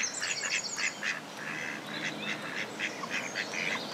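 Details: Two male mallards fighting over a female on a pond: a rapid, uneven series of short nasal calls, about seven in four seconds, with faint higher chirps near the start.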